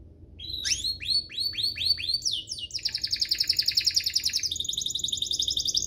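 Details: Canary song meant to teach young canaries and spur them to sing: quieter start, then repeated curved whistles leading into long rapid buzzy trills over background hum.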